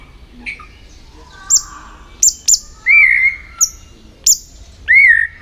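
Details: White-rumped shama contest-training song: sharp high ticking notes in quick pairs spaced through the phrase, alternating with loud, full, rich whistles that rise and fall, the second whistle echoing the first.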